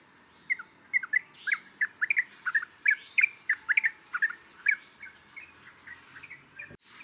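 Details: Yellow-vented Bulbul from Thailand, recorded for xeno-canto: a lively series of bubbly, gurgling notes, mostly paired or tripled, repeated about twice a second and fading toward the end, with a faint click at the close.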